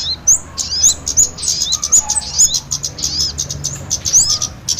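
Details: Lure for catching small birds, kemade combined with sogon: excited high-pitched chattering, thin rising and falling whistles and sharp clicks packed closely together in an unbroken stream.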